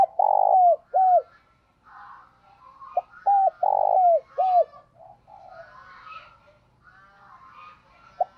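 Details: Morning calls of a decoy spotted dove luring wild birds: two loud phrases of long buzzy coos with hooked falling notes early on, followed by a steady background of chattering and whistling from other birds.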